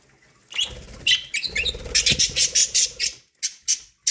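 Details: ['Budgerigars eating corn produce a rapid run of harsh, scratchy squawks repeated several times a second, ending in a few separate chirps, over low rustling.']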